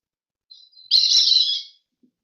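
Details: Orange-chinned Parakeet, one of a numerous, gregarious, noisy flock high in the canopy of a city park in Central or South America: a single harsh, shrill screech under a second long, preceded by a faint thin note.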